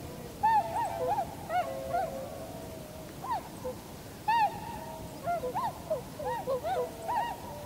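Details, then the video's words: Flock of tundra swans in winter, 7 February 2015, seen landing, flying and in V-formation, recorded on a compact camera with an external microphone. Repeated mellow, bugling honks, often doubled, follow one another irregularly throughout, with many birds overlapping. "コハクチョウ "Cygnus columbianus" の鳴き声"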